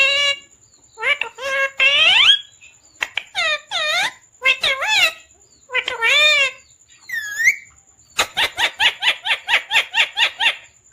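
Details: Pet parrot talking indoors, saying phrases like "mummy papa koun aaya hai": a series of voice-like harmonic utterances with rising and falling inflections, ending in a rapid run of about a dozen clipped repeated syllables.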